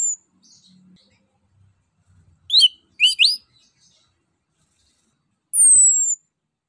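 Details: Orange-headed thrush song used as a lure to prompt other birds to sing: a few loud rising whistled phrases around the middle, then one long high descending whistle near the end, with quiet gaps between.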